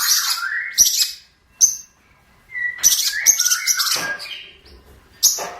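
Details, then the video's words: Long-tailed shrike song used as a master for training birds: loud, high scratchy bursts mixed with lower whistled slides and short chattering runs, separated by brief silences. "MASTER BURUNG CENDET"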